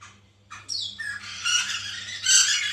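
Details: White-crested laughingthrush, used as a lure to get a captive bird singing: after a short pause, harsh squawking chatter builds into a continuous noisy, grating cackle that grows louder toward the end, with a low hum beneath.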